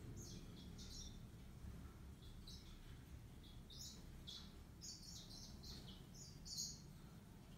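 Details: Yellow-fronted canary (Serinus mozambicus) singing a series of short, high, thin chirps and trilled notes in loose bursts, busier toward the end, over a steady low background rumble.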